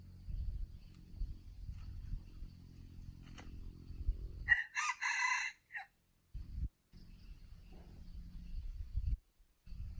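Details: Rooster crow heard as a short harsh, ringing burst of two or three syllables amid low rumbling background noise and handling sounds, with quiet gaps after it.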